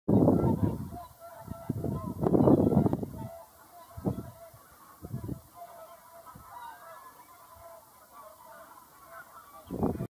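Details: A flock of whooper swans (Cygnus cygnus) calling: loud bugling honks, with bursts of trumpeting at first and softer overlapping calls after, over a low rumbling noise.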